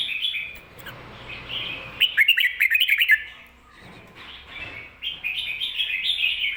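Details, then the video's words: Red-whiskered bulbul, a caged songbird, singing the doubled 'ko-ta-ra' song style used to teach other caged bulbuls. Bubbly warbled phrases alternate with a burst of rapid sharp chirpy notes, and the phrases return after a quieter pause. "โค-ตะ-ระ เบิ้ล เบิ้ลจริงเบิ้ลชัด(ไว้สอนนก)"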